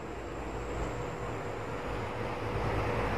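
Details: A steady low rumble of engine or vehicle noise fills the whole stretch, with no animal voice heard.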